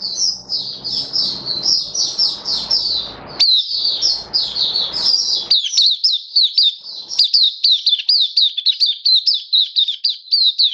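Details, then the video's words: Mata puteh, a caged Oriental white-eye, in buka sing song on 27 October 2022: a long dense stream of high chattering notes, over low noise at first, becoming crisp rhythmic down-slurred chirps. "Mata Puteh Kitaro Buka Sing"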